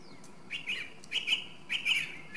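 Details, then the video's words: Song thrush (Turdus philomelos) giving three similar rough, buzzy-edged phrases in a row, each about a third of a second long, separated by short gaps. "Drozd zpěvný - The song thrush: Zpěv/Singing"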